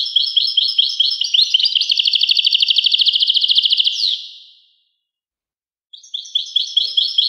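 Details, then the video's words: European goldfinch pouring out a high, jingling twitter that shifts into an even, fast rattling trill before a falling end note, then resumes with more bright chirps after a pause. "song Carduelis carduelis pure and Nice-Birds The song"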